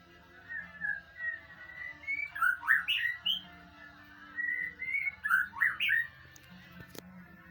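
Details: White-rumped shama training song meant to elicit an answer: level whistled notes followed by a quick jumble of rising and dropping warbles, repeated twice, with a click near the end and a steady low hum.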